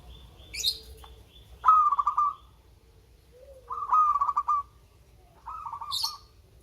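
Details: Local zebra dove used to draw out quiet birds. Three rolling phrases of rapid soft coos arrive about every two seconds, mixed with thin high chirps and short hisses from another bird.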